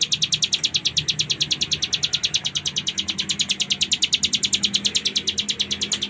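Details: Full ngebren song of a lively ciblek gunung: rapid high, sharp buzzy notes repeated steadily, roughly eight a second, throughout. Soft low rumble in the background.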